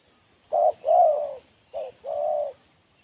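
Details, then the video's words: Wild spotted dove, said to lack confidence, giving two coo phrases: a short note followed by a long, slightly falling hum, repeated once. "Burung Tekukur Liar Kurang Mental"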